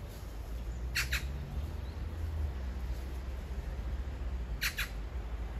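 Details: Magpie calling to a partner perched a few meters away, described as a love serenade: two pairs of harsh, rasping squawks, one pair near the start and another about four seconds later, over a steady low rumble of background noise.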